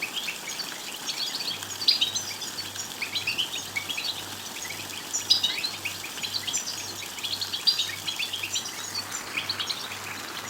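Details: European goldfinch song used to encourage a goldfinch to sing loudly: a long, busy stream of thin high chirps and trilled twitters at moderate volume, with background hiss and a low electrical hum.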